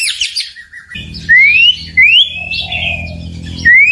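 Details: White-rumped shama song meant to provoke rivals: scratchy high notes, then three clean rising whistled sweeps spaced about a second apart, over a steady low droning hum.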